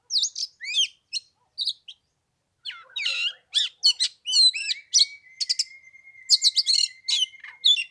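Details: Oriental magpie-robin singing in 15-degree cold on the third day of Tet: rapid bursts of sharp, high, scratchy notes and twisting whistles, with a long steady thin whistle running beneath the later phrases.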